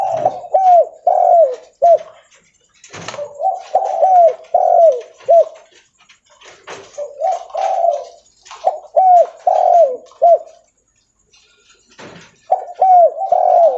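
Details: Spotted dove of the Leopard type, loud and calling while walking: repeated phrases of four to five low, mellow rolling coos, three bursts separated by pauses, with sharp tapping and clattering knocks between phrases.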